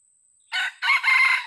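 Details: Old wild red junglefowl used as a decoy for luring, giving a short harsh crow: a brief opening note, a pause, then a longer two-part ending, loud and clear against silence.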